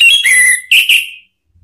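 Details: Orange-headed thrush provocation song: a strong downslurred whistle followed by two brief, bright warbled notes, then silence.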